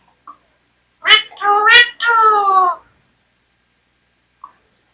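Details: Talking Indian parrot indoors says a short three-syllable phrase in a nasal, speech-like voice. The first two syllables are sharp and quick, and the last is long and slowly falling. Faint clicks are heard before and after, in an otherwise quiet room.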